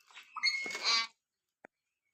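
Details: Common hill myna said to call out "Allah" in imitation of speech; a rough, harsh, voice-like burst lasting about a second, with a scratchy nasal tone, followed by quiet and one faint click.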